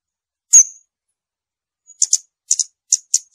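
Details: Scarlet-backed flowerpecker: one sharp high note, a pause, then quick paired ticking notes repeated about twice a second, very high and thin. No other sounds are heard.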